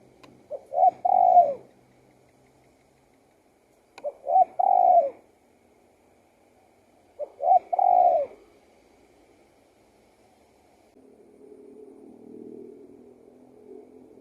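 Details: Spotted dove song in three evenly spaced phrases, each short coos then a long falling coo, followed by a faint low hum at the end.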